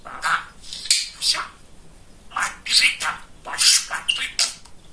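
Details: Talkative male budgerigar kept as a pet, babbling indoors in quick scratchy, hissy word-like syllables grouped in two clusters of chatter separated by a short quieter stretch.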